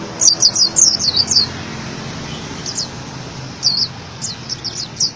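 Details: Oriental white-eye song used as a master recording for training cage birds: very high, thin twittering notes in quick bursts, then scattered sharp chips after a pause, over steady background hiss.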